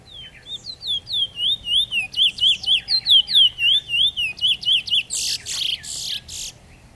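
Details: A Trinidad bullfinch (Chestnut-bellied seed finch) recorded in 2014 sings a fast run of sweet, slurred whistles, about four a second, ending in a few harsh, hissing rustles.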